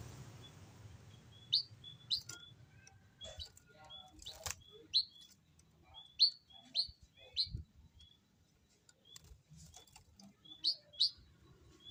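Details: A restless Javan munia giving short, sharp, high chirps, singly or in quick pairs, about a dozen spread unevenly over twelve seconds, with faint background rustling and clicks.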